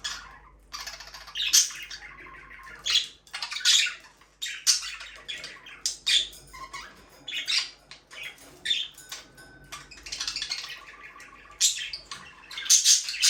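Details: Aviary budgerigars, a breeding pair, chattering continuously with squeaky chirps, harsh squawks and warbling notes in irregular bursts over a faint low hum.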